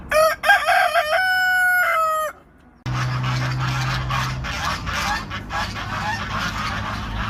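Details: A rooster crows loudly and clearly: a rich, harmonic cock-a-doodle-doo of about two seconds with a short stuttering start, followed by a brief pause and then broad rustling noise.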